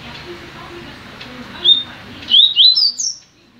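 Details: Caged double-collared seedeater in a new cage gives a short song phrase: a single high whistled note, then three or four quick, sharp, rising and falling whistles, over a low hum with faint murmuring.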